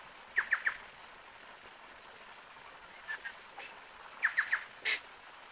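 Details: Tui singing: short bursts of three quick bright notes near the start, scattered clicks and soft notes in the middle, then another triple of bright notes and a high sharp note at the end, over a quiet hiss.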